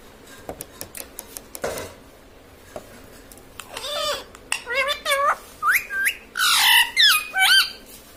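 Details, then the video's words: Pet parrot talking indoors, its words said to include mummy, papa and mitthu; soft clicks and taps first, then from midway a run of loud, nasal, rising and falling harmonic syllables, squeezed out close together in quick bursts. "mummy bolne wala tota - Papa Bolne Wala Tota - Talking parrot - Mitthu Mitthu"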